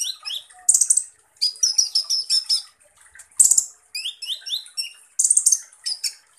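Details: 'Full tembakan kasar' song of the kolibri ninja, Van Hasselt's sunbird: harsh buzzy bursts interleaved with rising thin whistles and rapid metallic chips in short, energetic phrases.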